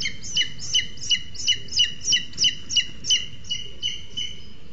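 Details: Booted eagle pair calling at their nest in Sierra de Guadarrama National Park, Spain, as the male brings a lizard to the incubating female; evenly spaced, ringing downslurred whistles, roughly three per second, over low steady background noise.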